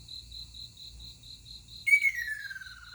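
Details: Ruddy kingfisher calling in the morning on 20 June 2022: a loud rolling trill that starts high and slides steadily downward, heard over a continuous, evenly pulsed high insect-like trill.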